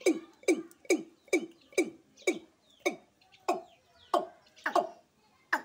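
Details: A watercock in Sylhet gives a steady series of hollow, gulping notes, each dropping in pitch, about two per second, growing slightly louder toward the end.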